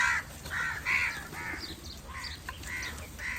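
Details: Crow calling other crows, a steady run of harsh, nasal caws about every half second, each with banded overtones, fading slightly toward the end, with faint higher chirps from other birds.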